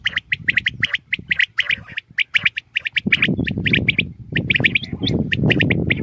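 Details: Common quail calling in the morning: rapid, sharp clicking notes in short clustered bursts, repeated over and over, with rumbling low background noise growing stronger in the second half.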